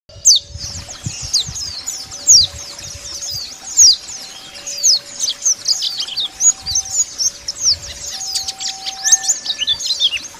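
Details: Wild Bali dakun-type white-eyes calling to rivals: dense, rapid high chirps and twittering notes overlapping throughout, with several birds seemingly involved, over a steady faint tone alternating between two pitches.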